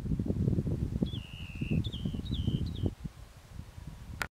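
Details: Rock Wren at Castle Butte, Saskatchewan, 24 July 2012, calls four high, thin notes: one long, slightly falling note, then three shorter ones, each opening with a sharp tick, over steady wind rumble.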